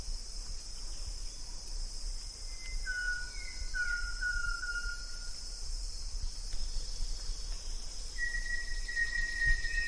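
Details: Banded yellow robin, also called olive yellow robin (Gennaeodryas placens), giving plain, level whistled notes: three short ones close together, then a longer drawn-out whistle, over a steady high insect hiss and low rumble.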